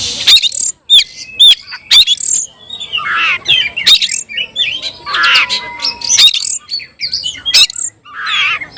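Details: A caged oriental magpie-robin in Indonesia delivers a rich, fast song of sweet rising and falling whistles, harsh rasping notes and crisp clicks, phrases tumbling out with short gaps.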